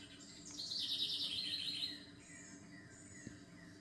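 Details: Bird gives a quick, shrill trilled phrase lasting over a second, followed by fainter scattered high chirps and a single sharp click, over a quiet low rumble.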